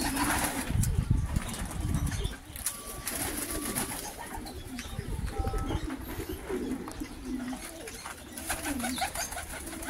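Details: Pomeranian pouter pigeons, all born in 2023, giving low, soft rolling coos amid a dense, noisy background of broadband rustling and clatter, with occasional brief higher tonal notes.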